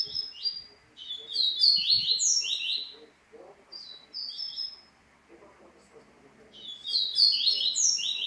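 A Double-collared seedeater sings a quick, bright jumble of slurred high notes, pauses, then bursts into another lively phrase over a faint low background murmur.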